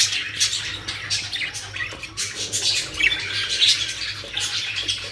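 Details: Budgerigars in a home aviary collection in Pakistan keep up constant rasping chatter with occasional thin whistles, over a steady low hum.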